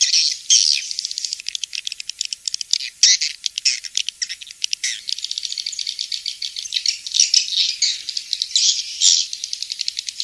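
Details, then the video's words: Swiftlet sound of the 'King's Star' type, used in swiftlet farming: dense rapid dry clicking like a rattle, with high twittering chirps woven through, continuous for ten seconds, clean and free of other noise. "Suara Walet King'S Star"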